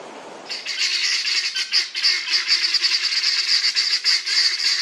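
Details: A flock of helmeted guineafowl (Numida meleagris) in an old English churchyard in Northamptonshire. They give a loud, harsh, grating rattle, a fast continuous chatter of rasping notes that starts abruptly and keeps going. Faint background rumble before it begins.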